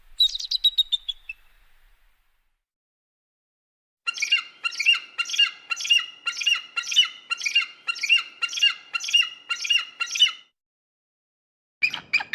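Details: Eagle calling, used to drive birds away: a short high chattering phrase, a silent gap, then around fourteen loud, grating, evenly spaced notes, ending with a sudden burst after another pause.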